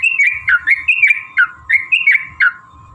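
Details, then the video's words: Yellow-vented bulbul in long fighting song, used as a lure to make other bulbuls sing; short gurgling whistled phrases repeated about three times a second, each ending in a downward slur, with a constant background hum. "trucukan gacor TARUNG ROPEL PANJANG pancingan trucukan agar bunyi"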